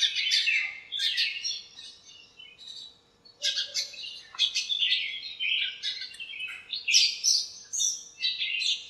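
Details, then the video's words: Backyard birds in a lemon tree, calling to one another during a cool bright morning, deliver steady high-pitched chirping and twittering in clustered bursts, easing briefly around three seconds before resuming thickly. "chirps at morning | backyard bird sounds"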